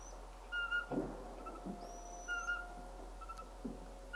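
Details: Eurasian pygmy owl calling in March 2024: short, flat, whistled notes repeated about every second, over a steady low hum, with thin, higher drawn-out whistles from another bird.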